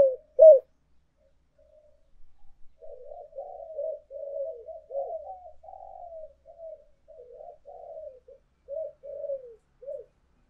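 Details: Spotted dove lure recording of urging and calling coos: a brief loud coo, a pause, then a long string of soft, low, gurgling coo notes that rise and fall unevenly, in otherwise quiet surroundings.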